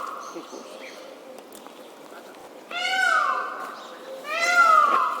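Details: A displaying Indian peafowl with its feathers spread gives two loud, nasal, wailing cries about a second apart, each sliding slightly downward, after a quiet start with faint background chatter.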